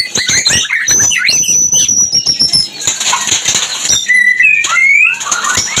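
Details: White-rumped shama song used to bring birds into breeding condition: bright high whistles and sliding notes, partly masked by a fast burst of wing flapping or rustling in the first half.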